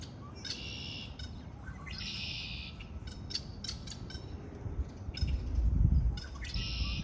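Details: Spring birds repeat short buzzy, insect-like trill phrases about every two seconds, mixed with sharp chirps; a louder low rumble swells late in the clip.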